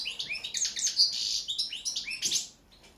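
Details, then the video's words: A European goldfinch delivers a fast, bright jumble of liquid twitters and thin high whistles with a few buzzy notes, rising and falling rapidly for two and a half seconds before fading out. "Pesma štiglića, češljugara"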